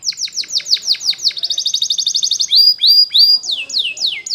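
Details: Canary training song, Belgian type, meant for young birds learning to sing: rapid trills of sharp high notes, a quick buzzy roll, then repeated downward-sweeping whistles about three times a second.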